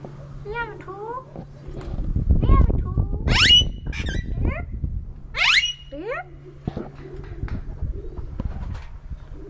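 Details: Rose-ringed parakeet at a dairy farm in Bahria Town, Lahore, Pakistan, giving loud, harsh rising squawks in short bursts. Low voice-like murmurs and rumbling handling noise accompany it, over a constant background hum.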